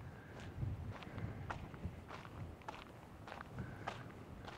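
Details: Steady footsteps crunching on a gravel road, with faint outdoor background noise and no animal calls.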